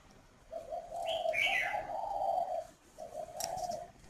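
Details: Quieter spotted dove cooing in the northern Vietnamese 'khách' style at a Ba Vì, Hanoi farm: a long low purring phrase, then a shorter one, while another bird adds a brief high chirp partway.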